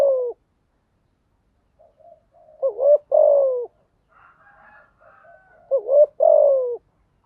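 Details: Decoy spotted dove used to stimulate newly caught doves to coo: two low phrases, each a short rising note and a longer descending coo, separated by quiet muttering notes.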